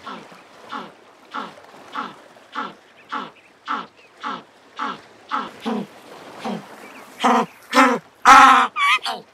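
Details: Jackass penguin (African or Cape penguin) giving a donkey-like bray: rhythmic, nasal harmonic honks at a steady pace that swell into several louder, longer, drawn-out brays at the end.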